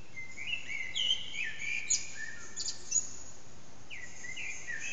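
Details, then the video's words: Hidden Eurasian blackbird at dawn, about 4:30 am, its song echoing around a backyard, phone recording: rich descending whistles and brief scratchy high notes, a short pause, then a renewed fluty phrase, with faint steady hum beneath. "Blackbird's morning song"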